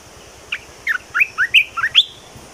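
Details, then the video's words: Caged red-whiskered bulbul singing a short phrase of about seven rich whistled notes, each sweeping up or down in pitch, the last ones rising highest, over a low steady hum. "เสียงนกกรงตาแดงเจ้าขุนพลEp2.เสียงใหม่ต่อเข้าจริง!!!Kicau merbah belukar gacor"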